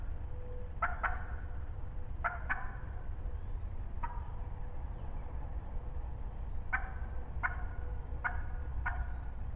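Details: Wild turkey hen, close and vocal in spring 2020: doubled yelps early on, a lone note near the middle, then further pairs after a pause, over a steady low hum.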